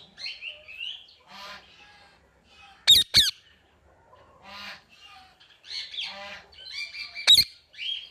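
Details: Indian ringneck parakeet calling in scattered harsh squawks and raspy, nasal notes, broken by two loud sharp snaps near the middle and another near the end.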